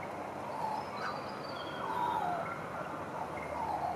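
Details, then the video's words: Australian magpie singing on a balcony in East Perth: a few fluted, slurred whistles, some sliding downward, spaced about a second apart, over a steady background hiss. "Caroling Magpie"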